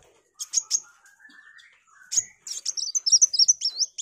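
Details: Sunbird, locally kolibri wulung, singing vigorously for training white-rumped shamas: scattered high chips and a soft rising whistle, then a fast, even series of thin, very high warbled notes.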